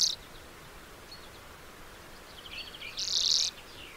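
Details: Lesser redpoll: a brief high twitter, then one strong rasping buzz lasting about half a second, with a clipped buzz at the very start.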